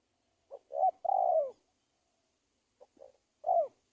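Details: Spotted dove trapping lure sound: one full low phrase of short hoots into a slightly falling drawn coo, then after a pause a fainter broken start of the next phrase.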